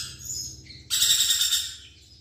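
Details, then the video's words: Lorikeet giving faint thin whistles, then a sudden loud rasping screech lasting about a second that fades away. "BURUNG NURI PERKICI GACOR"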